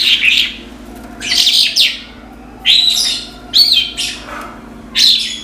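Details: Lark giving loud, scratchy chirping phrases, each a short burst of rapid notes, spaced out roughly every second with quiet gaps between them and a faint steady hum behind.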